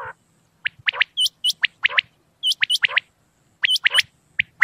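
Common quail calling in quick clipped bursts of sharp, high, falling whistled notes, grouped in short runs with brief pauses between them.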